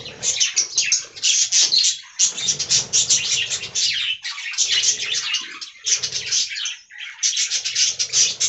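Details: Budgerigar colony in an aviary, keeping up loud, dense, scratchy warbling and chirping in long bursts with a few short pauses.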